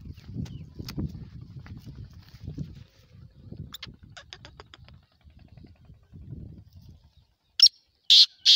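Black francolin giving a few loud, harsh, grating notes in a quick burst at the end, after a stretch of low rumbling background noise and faint clicks.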